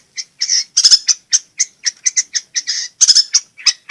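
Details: Long-tailed shrike delivering a rapid, jumbled series of high, squeaky chirps and buzzy double notes, several per second, as gacor song used to spur shrikes that will not sing.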